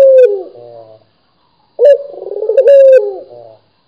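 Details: Two coos from a vocal local Barbary dove, separated by a silent pause; each is a clipped onset, a vibrating rolling middle and a drawn-out even note that slides down and fades.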